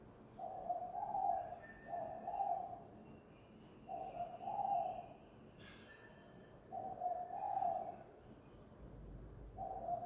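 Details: Spotted dove (tekukur, derkuku), calling at home in a 'kuk gantung' lure-call style; soft, low hooting coos in short bursts of about a second, separated by brief gaps, over a quiet, faintly hissy background.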